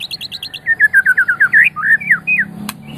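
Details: White-rumped shama from Medan, a champion-quality bird, singing: a run of quick high notes, then a series of clear slurred whistles descending and rising in pitch, repeated about twice a second, ending in varied warbled phrases.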